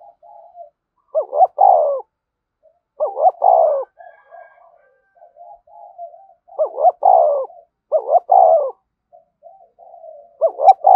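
A spotted dove gives soft, throaty coos in paired bursts, with quiet murmured notes between phrases.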